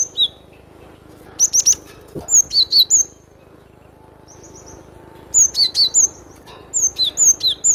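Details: Song of a cinereous tit: repeated phrases of sharp descending whistled notes in pairs, high-pitched and crisp, with short gaps and a soft faint whistle between bursts.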